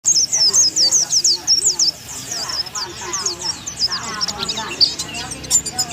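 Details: Oriental white-eye from Thailand singing in the bongkar isian style, used as a tutor recording: rapid, high, thin twittering phrases of sharp chirps for two seconds, then softer continuing chatter, with low warbled sounds underneath.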